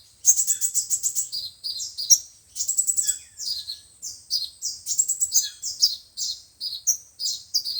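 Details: Used as playback to trap birds, five- and seven-colored sunbirds give rapid strings of very high, metallic chips in clustered bursts, with short gaps between phrases throughout.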